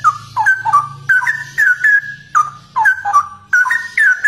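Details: A straw-headed bulbul (Pycnonotus zeylanicus), a rare bird, sings loud, rich, bubbling phrases of liquid whistled notes, each under a second, tumbling up and down in quick succession over a faint low hum.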